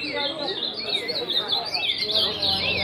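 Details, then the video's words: Many caged ultramarine grosbeaks sing together in a loud chorus on 22 February. Overlapping warbled, sliding phrases blend into a continuous tangle while a man talks in Portuguese. "Grande Baderna de azulão"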